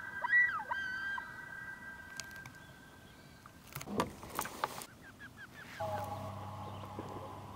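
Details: A mated common loon pair on a pond confronting and chasing off a rogue loon near their chick; a clear rising wail opens, splashing bursts follow, then a short run of quavering notes and a steady low motor-like hum.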